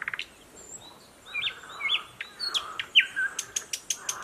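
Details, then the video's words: Thrush nightingale, just arrived, singing from dense streamside thickets in Belarus in May 2021: soft whistled notes and short slurred chirps, then a row of sharp high clicks. "Поет восточный соловей. Luscinia luscinia."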